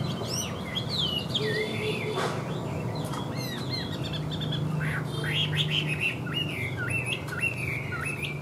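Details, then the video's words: Caged Chinese hwamei in fine voice: quick slurred whistles and twisting notes repeated in lively phrases, with one sharp knock partway through and a low steady drone beneath. "HÓT TỐT RA GIỌNG ĐỀU"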